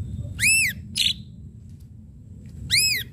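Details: Ashy drongo lure strikes: two arched, harmonic-rich whistled notes about two seconds apart, with a short squeaky note between them over faint low hum.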